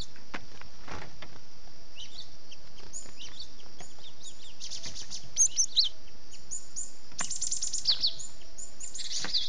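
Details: Cinereous tit (gelatik batu) used as a lure sound for catching birds: scattered thin high chirps and short sharp notes, sparse at first, then denser clustered bursts near the end, over a steady faint hiss.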